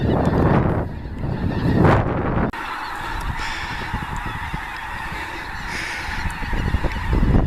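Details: Snow geese in passing migratory flocks during a blizzard at Clinton Lake, Illinois, February 2016: heavy wind roar for the first few seconds, then a constant, many-voiced honking chorus with scattered clearer yelps.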